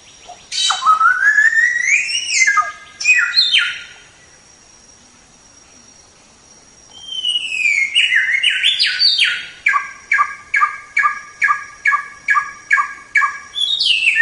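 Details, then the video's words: Samyong, or white-rumped shama, song used to train songbirds: sweeping rising and falling whistles, a brief silence, then a rising glide into a rapid regular series of clipped repeated notes, about two per second. "Masteran Suara Samyong"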